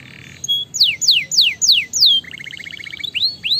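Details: Canary song meant to stimulate other canaries: four loud, high falling whistles in a row, then a quick bubbling trill of short repeated notes and two rising whistles at the end.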